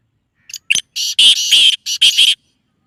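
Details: Black francolin call, used to bring the bird into breeding condition: a loud, harsh, rasping phrase of several short grating notes over about two seconds, broken by brief gaps, with a clear background.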